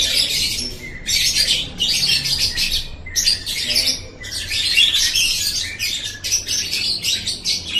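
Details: Lovebird ngekek, a chattering call played so pet lovebirds chatter along: long, busy runs of harsh, high-pitched twittering broken by a few brief pauses, the bursts packed tightly together.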